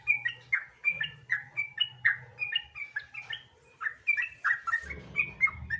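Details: Sooty-headed bulbul in rapid, chatty 'gacor ropel' song meant to prompt other bulbuls to sing: clear bubbling whistled phrases tumbling one after another, over a faint low hum and background rumble.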